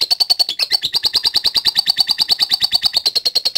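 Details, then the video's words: Lovebird in latah gacor song for summoning contest rivals: quick clicking, buzzy pulses run in a tight rhythm of several per second, with a high ringing tone on top and sharp broadband ticks. "Ampuh Memanggil Lawan | LOVE BIRD LATAH GACOR"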